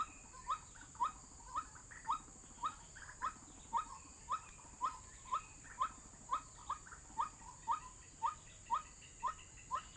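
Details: MP3 of a white-breasted waterhen used to attract birds to a trap: a long, monotonous series of short rising notes, close to twenty, spaced about half a second apart over low noise.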